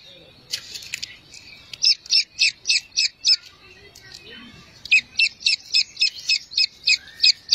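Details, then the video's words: Grey francolin chicks calling for their mother give high, thin peeping notes in quick runs of about four per second, with a short pause between bursts. "Grey Francolin Chicks Voice | Teetar Ke Bacche ki Awaaz"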